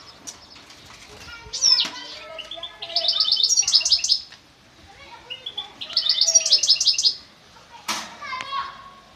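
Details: European goldfinch from Constantine, singing in bursts of bright, high twittering and tinkling notes, with short rapid trills separated by brief pauses and a sharp upward note near the end, over a faint background murmur.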